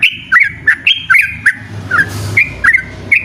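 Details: Yellow-vented bulbul delivering loud, persistent ropel song: clear, bouncy upslurred notes repeated quickly, about ten in three seconds, broken briefly by a soft hissing rasp, with low background noise throughout.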